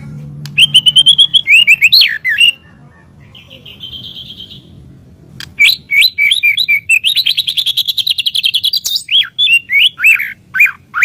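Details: White-rumped shama song used as master audio for training birds: clear whistled phrases around mid-high pitch, a steady held whistle, then fast runs of sharp upslurred notes and rapid chattering trills, loud and varied.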